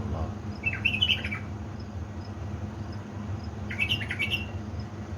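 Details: Dawn song at 3 am from a pet bulbul from Baladruz in Diyala, 19 August 2020: two quick liquid warbled bursts separated by a pause of nearly three seconds, low hum throughout.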